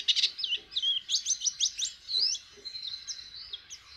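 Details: A white-eye learning to sing with its beak open gives loud, sharp high chirps and sweeping whistles in rapid succession, trailing off to a thinner twitter.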